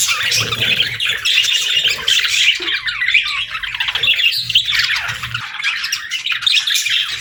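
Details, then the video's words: Several pet budgerigars chatter nonstop in overlapping scratchy warbles and squawks, with a short lull around the middle before the busy chirping resumes, and a low steady hum beneath. "Bird Chirping Sound 🐦🎶 | Cute Pet Birds 🥰"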